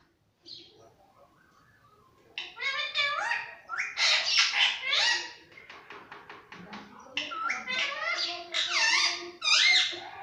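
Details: Pet parrot at home chattering in a run of harsh, raspy calls, some rising and falling, at about eighty per minute and in uneven bursts, after a quiet start with faint background sounds.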